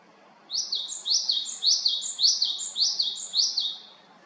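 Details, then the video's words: Japanese tit in Haenam, South Korea: a steady string of about seven piercing double notes, each a high note followed by a falling lower one, evenly paced. "박새의 다양한 소리"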